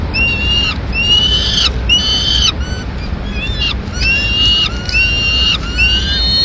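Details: Peregrine falcon nest in Madrid, 21 May 2016, as the female feeds pigeon to two chicks: a continuous series of piercing, rising, harmonic wails, some with downslurred tails, given every half second to second, over faint low rumble.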